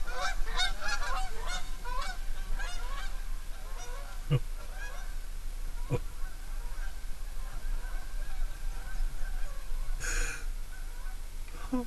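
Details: Canada geese at New Wasaga Beach at sunset, October 2, 2012: a rapid volley of repeated, overlapping nasal honks in the first three seconds, then scattered calls with sharp knocks and a brief hissing burst over constant low wind rumble.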